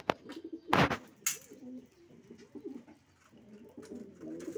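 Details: Racing pigeons cooing indoors, soft low warbling coos running through the clip after a few loud knocks and rustles near the start.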